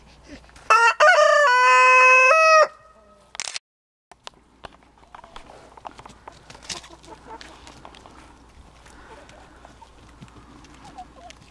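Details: Rooster crowing once: a loud, harmonic-rich cock-a-doodle-doo lasting about two seconds, rising and then holding a strained level tone, followed by a brief sharp sound and quiet rustling and background noise.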